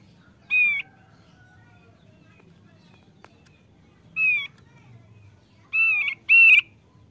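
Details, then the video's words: Male thick-billed white-eye, known to sing often, gives scattered short whistled notes in twos and singles, separated by pauses of several seconds, with a faint click between. "OPIOR PARUH TEBAL JANTAN YANG RAJIN BUNYI"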